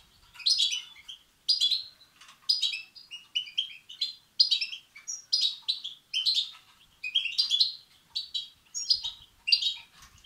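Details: Begging European goldfinch chicks, a call used to excite males; regular bursts of shrill, twittering chirps about once a second in a clean, quiet recording.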